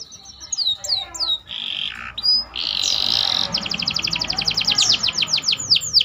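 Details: Canary in full song, its phrases filled with ciblek and cocok-style notes, recorded as a tutor for other birds: high sweeping chirps, a buzzy stretch, then a fast run of repeated downslurred notes building to loud trills.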